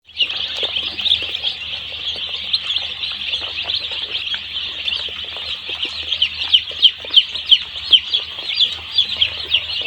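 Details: One-day-old chicks on a poultry farm, many peeping together in a dense, continuous high chorus of short rising and falling cheeps, a few louder calls standing out near the end, over a low steady hum.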